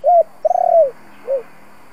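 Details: Spotted dove coo used to provoke decoy doves into singing. A close, clear phrase of a rising-falling coo, a long stuttering coo that swells then sinks, and a short low coo at the end.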